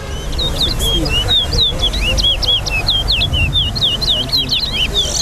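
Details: Towa towa (chestnut-bellied seed finch) in a caged singing race at Lusignan bird ground, Guyana: a continuous string of clear, sweet whistles, each swooping up or down, delivered quickly with hardly a pause, soft voices and rumble beneath.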